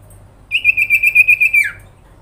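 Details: Sirpu (sooty-headed bulbul) grincingan call used to provoke other birds: one steady, high, evenly pulsed trill of about a second, finishing with a quick downward slur.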